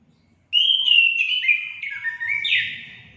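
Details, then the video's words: Orange-headed thrush singing, used to stimulate pet birds into song: a fluid series of clear whistled notes that step gradually downward, then jump to a brighter, richer closing phrase; faint low background hum. "Langsung nyaut gacor anis kembang anda"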